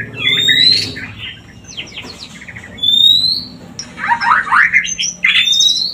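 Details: White-rumped shama song for stimulating mating: clear rising whistles alternate with fast scratchy trills and cascading chirps, phrases repeated irregularly about every two seconds, faint low hum behind.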